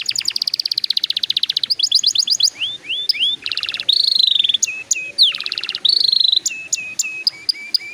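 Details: Song of a canary, played to get juvenile canaries singing sooner: a fast pulsed trill, then rising whistled slurs, buzzy rattles and clear sustained tones alternating in short varied phrases.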